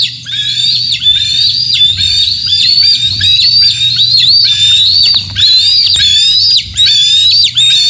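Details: Bald eagles at the Decorah North nest site, morning of 27 June 2024, with young eagles and fish deliveries; a long run of high, thin whistled calls, each drawn out, slightly wavering, ending in a quick downward flick, repeated almost without pause.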